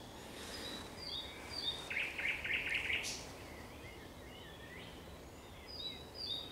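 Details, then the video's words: Thrush nightingale singing at sunset on 30 May 2021: a brief burst of fast, dry repeated notes in the middle, set among faint high whistles from other birds at a distance. "Śpiew słowika szarego przy zachodzie Słońca"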